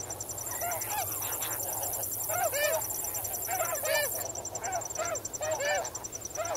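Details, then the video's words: Snow geese wading and swimming in a flock call close at hand, bursts of clipped nasal honks with arched pitch, often doubled, over rhythmic crickets and a faint hiss. "Snow Goose. MCU Calls From Flock While Swimming And Wading In Water."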